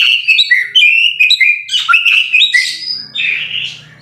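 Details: Lively White-rumped shama song used as a tutor recording, a quick stream of clear whistles and sliding notes, about two phrases a second, ending in buzzier fluttering notes over a soft low hum.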